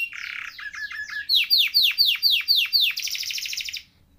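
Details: Canary song opening with a low buzzy note and short chirps, then a run of loud downslurred swooping notes and a fast high trill before falling silent.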